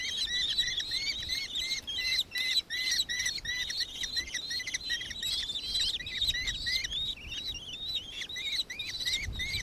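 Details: Nankeen kestrel, Victoria, Australia, recorded 4 December 2024, uttering bright, clipped, arched notes in rapid succession, a shrill chattering series with a short dip in loudness near two seconds.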